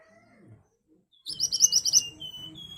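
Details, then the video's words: Ashy tailorbird in sharp lure song: a short burst of rapid high chipping notes following a lower thin whistle, with a steady whistled tone and light background noise continuing afterward. "Burung Mantenan Gacor Nembak Tajam Cocok buat Pancingan agar cepat Nyaut"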